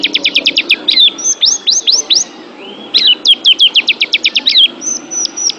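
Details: Oriental white-eye song from a training recording for pet birds: quick strings of about eight sharp, high chirps alternate with rising then falling whistled slurs and a few thin level whistles.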